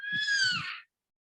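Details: Black cockatoos flying overhead by the shore of Lake Cootharaba, one giving a single drawn-out, slightly falling wailing note lasting under a second, with faint low rumbling beneath.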